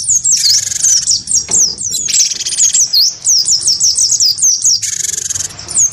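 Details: Wingko-type cinereous tit in a fighting-sound contest with a white-eye: continuous high, wavering whistled notes in rapid strings, cut by two loud, buzzy, hissing bursts.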